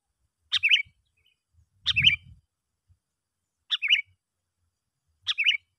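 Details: Sooty-headed bulbul lure call used to attract other bulbuls: four short phrases, each a sharp note followed by a quick liquid warble, spaced well apart and fairly evenly, with a faint low rumble once.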